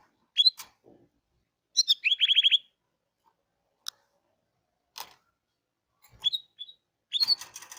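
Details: Canary of the Hipi type singing: sharp high chirps, a short buzzy rattling trill of about eight rapid notes near the two-second mark, then scattered single tweets and clicks with quiet gaps between bursts.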